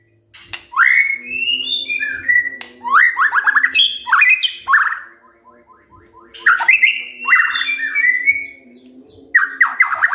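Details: White-rumped shama song used in the morning to provoke other birds into singing: loud whistled phrases with repeated descending slurred notes near the middle range, sharp high accents, brief pauses between bursts, faint low hum beneath.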